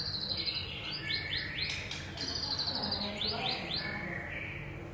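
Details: Young forest white-rumped shama: quick series of upward-sweeping notes and short trills, fairly soft, with a steady hissing background.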